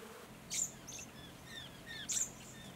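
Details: Little lorikeets drawn to an artificial pond in the Capertee Valley, NSW, in mid September 2019, give high, shrill, buzzy screeches in two short bursts, with fainter thin chattering calls between them.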